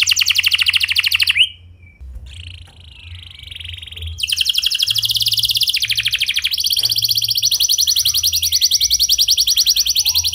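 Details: Canary singing a clear rolling song used to prompt other canaries to sing: fast trilled tours of repeated notes, a long buzzy roll, then a bright sustained trill, with a brief quieter gap in the middle.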